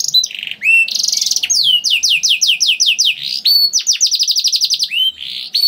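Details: Canary song used to prompt other canaries to sing, with a long rolling trill: rapid series of descending whistled notes at high pitch, shifting between trill phrases, loud and continuous.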